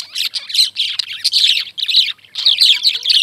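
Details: Lovebirds giving loud, harsh high-pitched chirps in quick irregular bursts, scratchy squawking notes packed closely with brief silences.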